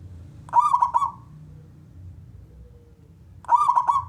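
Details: Zebra dove of the local type with a big voice, played to coax other doves into singing: two short bursts of quick, rolling coos about three seconds apart over a faint low hum.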